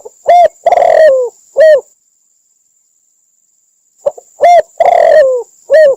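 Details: Spotted dove from Cambodia, recorded for trapping as a lure: bursts of short coos and a long tremulous falling coo, a two-second silence, then the same phrase again, with a thin steady electronic tone running throughout.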